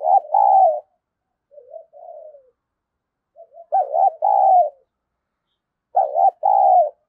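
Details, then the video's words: Spotted dove decoy cooing to incite a fight. Three cycles are heard: loud paired coos, a wavering note and a longer falling one, separated by soft low coos, roughly every two to three seconds. "Chim Cu Mồi Thúc Đấu , cu gay kich boi nhanh noi gù/cu gáy thúc đấu"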